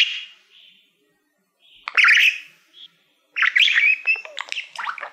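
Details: Pet budgerigar, a male that loves mirrors, singing to a shiny silver plaque used as a mirror indoors; short chirpy warbled phrases separated by pauses, with a burst of buzzy chatter near the end.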